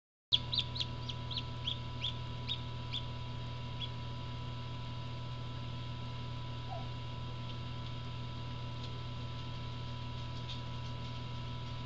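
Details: Black English Orpington chick hatching from home parent stock, a first hatch; thin, high arched peeps come in a quick irregular run over the opening three seconds, then fade to occasional soft cheeps over a steady low hum.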